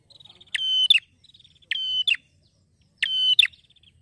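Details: A happy male Bar-winged Prinia starts with a quick series of soft ticks, then gives three loud, harmonic, buzzing phrases, each ending in a sharp click. The song is in the ngeplonk style.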